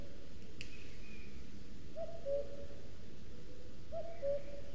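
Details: Territorial song of a male common cuckoo at a webcam in Sierra de Guadarrama National Park forest: two clear falling cu-coo pairs about two seconds apart, low and hollow, against constant broadband hiss with a faint higher bird note early on.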